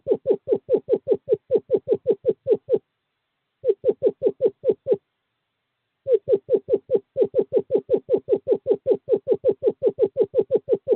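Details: In courting season a male screech owl calls a female to owl box 5, 2/11/2023: long rapid trills of uniform downslurred notes, separated by two short silences.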